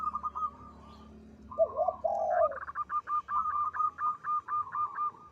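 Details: Actively singing local zebra dove with a big, long, melodious voice: soft rolling notes, a deep drawn-out coo, then a bouncing series of about a dozen quick, even notes.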